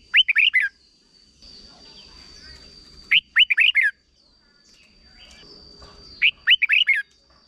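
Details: Red-whiskered bulbul from Thailand singing its short doubled teacher song for young birds: three matching phrases of five quick, liquid whistled notes repeated about every three seconds, with a thin steady high tone throughout.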